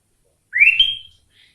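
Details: Sooty-headed bulbul (kutilang) singing a song filled with cucak ijo (leafbird) phrases: one clear, loud whistle that sweeps upward, then levels into a thin high note, followed by a faint short note.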